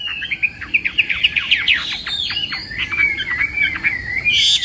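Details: Chinese hwamei singing in a contest at morning training: a fast series of sharp whistled notes and slurs, then a sustained warbling trill ending in a loud rising note.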